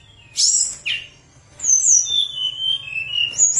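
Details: Lesser shortwing (tledekan gunung) in flute-like song used as a lure: a loud high note dropping sharply, a pause, then long clear whistles sliding down in a smooth descending series.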